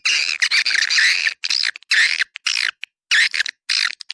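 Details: Swiftlet calls for luring swiftlets: several long, harsh, buzzing twitter phrases, each about half a second, separated by short silences, with a few single chips between.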